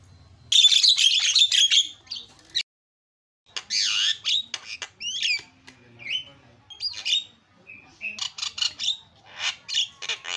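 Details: Javan myna singing, meant as a lure for mynas that fell silent: a loud harsh rasping burst, a short silence, then a broad screech, twisting whistles and fast stuttering squawks.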